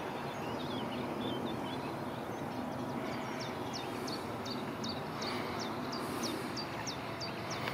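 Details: Cetti's warbler in UVA-park on 15 April 2020, no bird in view, begins with a loud call: a rapid series of sharp, explosive notes, about three per second, over steady broadband rushing noise.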